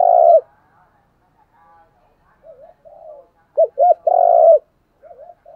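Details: Caller decoy spotted dove urging wild birds to respond: a strong opening coo, soft wavering notes, then two clipped arched coos followed by a long throaty coo and softer trailing notes.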